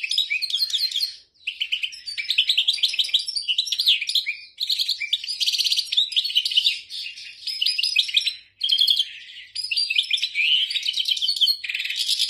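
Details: European goldfinch in continuous lively song of tolaa notes, tumbling twittered phrases mixing quick slurred chirps with buzzy rattling trills, separated by a few very short breaks.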